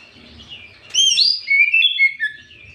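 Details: Afternoon lure song of an Oriental magpie-robin, meant to provoke rival birds. A sudden burst of bright whistles, a high upslurred flourish, then descending clear notes that fade over the quiet background.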